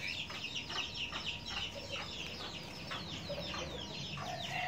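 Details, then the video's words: Huýt cô bird calls during bird trapping in the countryside at the first rain of the season, with a caged female decoy hung out and a wild male arriving. Repeated short, sharp downward chirps overlap steadily amid a busy chorus of other high chirps. "Bẫy Chim Huýt Cô"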